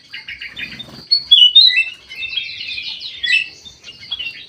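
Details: White-eyed golden bulbul in an aviary, in full active song. Mixed clear whistles and rapid chattering runs, ending in a long fast warbled stretch.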